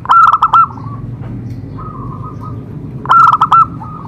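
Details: Song of a zebra dove, meant to prompt other doves to sing: a fast run of short, ringing coo notes trailing into a softer rolling trill, then a second identical burst about three seconds later.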